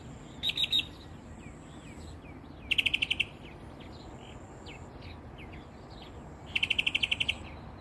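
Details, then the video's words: Early-morning northern mockingbird hidden in a peacock flower bush in south coastal Texas, about ten feet away, gives three bursts of rapid, evenly spaced trilled notes, a few seconds apart, with faint softer notes between them. "Northern Mockingbird Song"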